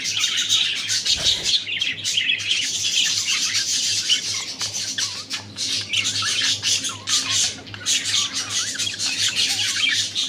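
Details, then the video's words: Several moody male budgerigars chattering and squawking in a steady stream of scratchy warbles and sharp chirps, an unbroken din over a low background hum. "MOODY MALE BUDGIES । মুডে থাকা মেল বাজরিগার পাখি।"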